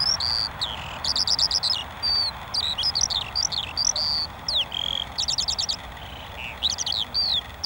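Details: Lark song with high twittering phrases, rapid trilled bursts near one and two seconds and again near five seconds, mixed with sliding whistles over a constant hiss.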